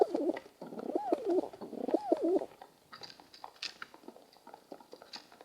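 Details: Group of pigeons in the morning, giving low rolling coos in looping, wavering phrases for a few seconds, then quieter with scattered tapping and rustling.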